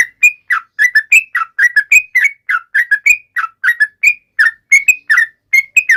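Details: Lively yellow-vented bulbul song directed at rivals, made of quick whistled notes that rise and fall in pairs and triplets, steadily repeated with short gaps between.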